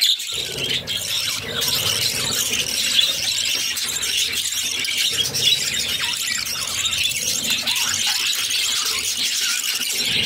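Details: Budgerigar chicks, six in a nest, fed by their mother in captivity, keep up an unbroken shrill, scratchy squealing chorus, steady in loudness for about ten seconds.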